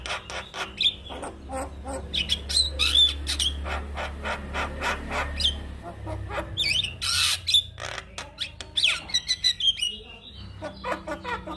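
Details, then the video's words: Singing male Javan myna, meant for other mynas to learn from, pours out a fast jumble of clicks, grating rasps and short whistled notes, with a loud harsh burst near the middle and a steady low hum throughout. "JAlak Kebo Jantan Gacor MASsteran Semua Burung Jalak Akan Niru Suaranya"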